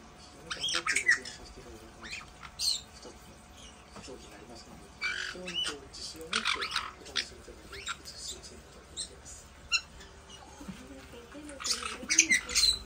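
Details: Two pet white-bellied parrots play-fight, letting out scattered harsh squawks and screeches in irregular bursts while people chat indoors.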